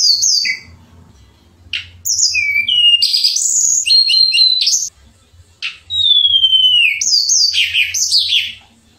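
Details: Shortwing, local name tledekan pring, in gacor song with nembak and ngerol phrases: phrases of high whistles and buzzy notes, then a clear long falling whistle and a final flurry of chirps.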